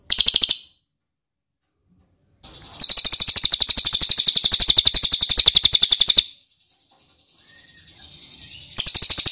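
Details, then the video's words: Ashy tailorbird lure call, used to make wild birds answer: rapid trains of sharp high chips, about ten per second, in bursts separated by silent gaps, with a quieter stretch of chips near the end. "PANCINGAN CILILIN DIJAMIN NYAHUT!!"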